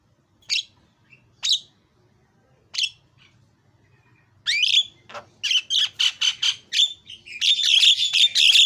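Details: Javan myna answering a lure recording: three spaced sharp chirps, then a burst of loud, harsh squawking notes in quick succession that swells into continuous rasping chatter.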